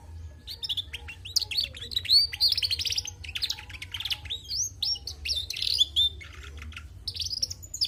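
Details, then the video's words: A female canary in full, lively song. Its chattering warble is noted as not proving a bird is male. The song is a continuous stream of high twittering notes, rapid trills and sharp upslurred whistles, with brief gaps, lasting nearly eight seconds. "Bunyi Burung Kenari Betina gacor"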